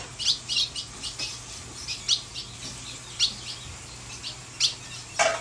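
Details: A female Colombian ultramarine grosbeak calling a great deal as she comes out of moult, with her tail just regrown and her wings still in pin feathers, gives short, sharp, high chip notes in an uneven series, several each second, over faint hum.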